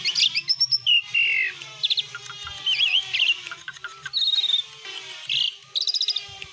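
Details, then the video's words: Asian pied starling in full song: a loud, varied run of whistles, slurred rising and falling notes and short chattering bursts, with brief pauses between phrases. "ISIAN BESETAN JALAK SUREN GACOR"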